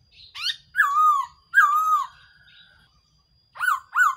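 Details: Black-throated laughingthrush used as a decoy for trapping: loud whistled notes sliding down then level, some with rising ends, in short phrases separated by brief pauses.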